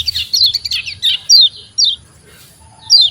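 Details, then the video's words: Oriental white-eye song: a quick jumble of high chirps, then several thin, sharply descending whistles spaced about half a second apart, over a low background hum. "SUARA KECIAL KUNING LEGENDARIS"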